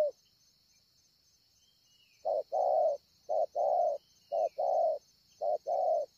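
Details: Spotted dove, wild, at Ngọc Hồi, Vietnam, 25 March 2020: after two quiet seconds, four short-long coo pairs follow at roughly one-second spacing, with a persistent high buzzing hum in the background.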